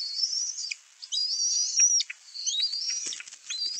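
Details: Bald eaglet calling on 11 May 2024 as a parent brings fish to the nest where two siblings compete to feed themselves; piercing, squeaky chitters in rising and falling runs, with faint knocks beneath.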